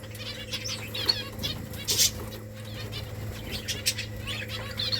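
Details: Finches in a nesting colony chirp in brief, high, scattered bursts among fluttering wingbeats, with a constant low background hum.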